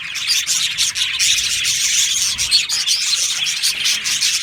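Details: Budgerigars in an aviary colony, a continuous dense mix of high chirps and warbles from many birds at once, with rapid overlapping tweets and no pauses.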